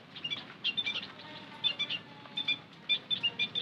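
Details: Short burst of white-headed munia lure calling: clusters of squeaky high chirps in quick pairs and triplets, separated by brief pauses, over a faint hiss.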